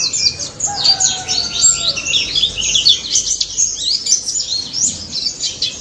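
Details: Forest-dwelling daput white-eye singing loudly, meant to draw mute white-eyes into answering: a busy stream of thin, high chirps and slurred whistles, with a few faint lower drawn-out tones behind.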